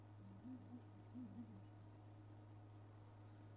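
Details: Southern ground hornbill contact call on a morning drive at Djuma Game Reserve, South Africa, 10 July 2011: two low, deep booms a second apart over an idling vehicle. A nearby bird answers another; they have called since before dawn, possibly after being separated overnight.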